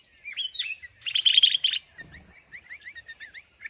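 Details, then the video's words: Mountain red-whiskered bulbul caught in a fighting trap against a caged decoy bird. A few slurred whistles, then a loud dense cluster of quick notes, followed by a rapid string of thin downslurred chirps. "Chào mào núi bẫy đấu"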